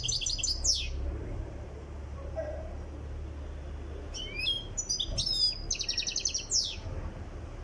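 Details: European goldfinch from Tiaret under song training: an opening burst of rapid high notes and a downslurred chirp, a quiet gap of about three seconds, then renewed jingling twitters and a fast rattled trill.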